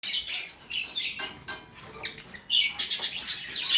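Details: Budgerigars chattering; a mix of warbling, scratchy chirps and high squeaky notes, with a louder burst of sharp chirps in the final second.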